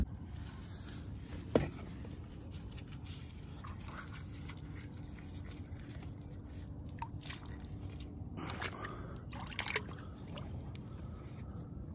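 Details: Water sloshes and drips against a paddle board over a low rumble, with a few scrapes and knocks and no animal voices.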